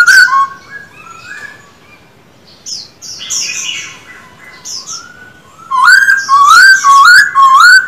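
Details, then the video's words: Black-throated Laughingthrush, a caged male in song training, starts with soft, distant-sounding whistles, then breaks into loud, rhythmic slurred notes repeated about twice per second. "Khướu bạc má hót quá đỉnh, 60 phút luyện giọng mỗi ngày."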